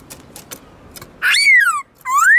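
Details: Kept black-throated laughingthrush singing varied 'forest voice' song used to train and stimulate wild-caught birds: faint clicks, then a loud whistled note sliding downward, a brief gap and a rising whistle.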